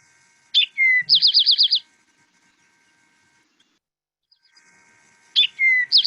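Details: A tame Eastern Towhee that lives in a garden sings its 'drink-your-tea' song twice, about five seconds apart: a sharp high note, a lower slurred note, then a quick ringing trill.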